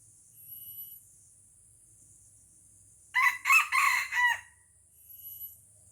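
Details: Aceh red junglefowl drawn in by a decoy rooster during a fierce fight crows once: four hoarse, harmonic bursts over about 1.2 seconds, with a pulsing high insect drone before and after.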